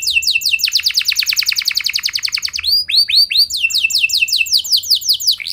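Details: Canary singing strongly to spark replies from other canaries: rapid series of sharp downward-sweeping notes, a few looping whistled swoops, then more quick descending chips in unbroken flow.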